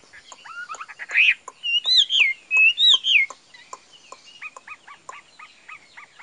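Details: Cage-kept Chinese hwamei for sale: scattered sharp chips lead into a burst of rich, loud, warbling whistles swooping up and down, followed by a series of short repeated chirps.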